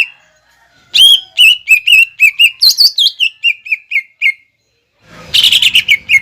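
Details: Greater green leafbird in full 'nembak ngekek' song, played to lure young birds into copying: quick repeated whistled notes with a higher swooping phrase, a short pause, then a dense chattering burst.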